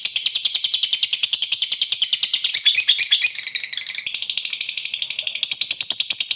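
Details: Lovebird pouring out the long 'ngekek panjang' chatter used to get other lovebirds singing: an unbroken, fast, shrill, buzzy trill lasting over six seconds.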